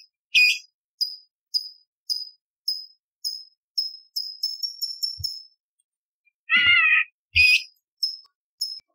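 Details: Training recording of a bulbul for contest birds: a long series of short, high, clipped notes that quicken into a rapid run, broken by a harsh rasping burst, then resuming.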